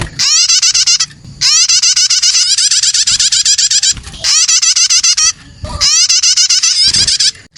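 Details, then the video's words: Young prinia chicks calling, used as a lure for other birds: bursts of rapid, rising, harmonic chirps repeated about four times a second, separated by short pauses, with faint low rustling beneath. "SUARA PIKAT ANAKAN PRENAJAK STARTER"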